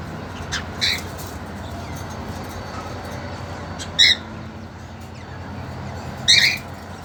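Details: Three sparse, sharp squawks a few seconds apart from caged cockatiels, an eager male with a two-month-old female, against a quiet hissing background.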